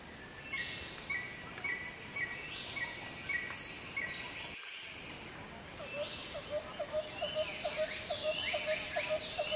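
Rufous-necked laughingthrush calls: a quick run of short, low, repeated notes, with sharp higher chirps from other birds and a steady insect hiss behind.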